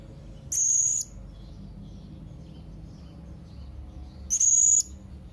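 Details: Young blue-crowned hanging parrot calling out to rivals: two piercing, flat, high-pitched whistles about half a second long, spaced nearly four seconds apart, the second slightly stuttered at its start, over quiet low hum.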